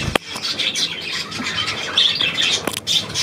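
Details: Budgerigars recorded on 9 February 2024 give a continuous high scratchy warble with buzzy chirps; a sharp click or tap near the start and another later.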